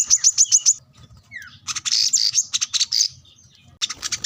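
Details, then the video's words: Plain-throated sunbird seeking a rival, used to train other birds: a few evenly spaced shrill chips, then a jumbled stretch of buzzy high notes and a short downslurred whistle, ending with quick ticks. "kolibri kelapa | wiceh | manggar | korlap gacor mencari lawan buat pancingan / masteran burung bahan"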